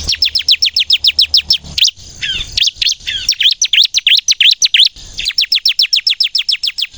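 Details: Ciblek kristal (bar-winged prinia) singing: fast even series of sharp descending chirps, then a looser stretch of V-shaped notes, then another rapid run.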